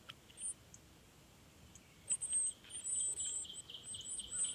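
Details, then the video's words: Northern cardinal nestlings in the nest being fed by their parents, giving rapid, very high, thin squeaky chips in dense bursts over the second half, over a soft background hiss. "Baby Cardinals Being Fed and Raised"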